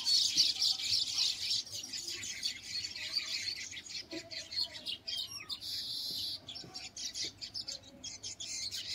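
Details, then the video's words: A colony of countless baya weavers nesting in a date palm inside a resort on the bank of the Ganga at Shantipur keeps up dense, high, sizzling chatter of overlapping chirps, rapid and unbroken, with faint lower background noise. "এই রিসোর্টের ভিতরে দেখুন একটা খেজুর গাছের উপরে কত বাবুই পাখির বাসা এবং অসংখ্য বাবুই পাখি এখানে সারাক্ষণ কিচিরমিচির করছে।"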